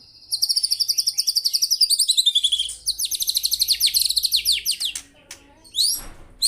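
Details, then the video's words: Energetic song of a white-rumped shama: long rapid trills of bright repeated notes, a pause, more trilling, then a couple of rising high whistles. "BURUNG MURAI GACOR"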